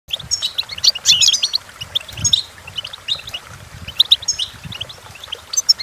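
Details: Goldfinch song for teaching goldfinches to sing: rapid high twittering and tinkling notes in short bursts, with light low background rumble.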